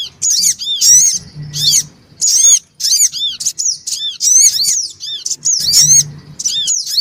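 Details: Black-winged cuckooshrike lure recording of noisy male and female birds with young, played to draw small birds: bursts of high, arched chirps and quick slurred whistles, broken by short pauses, with a faint low hum beneath.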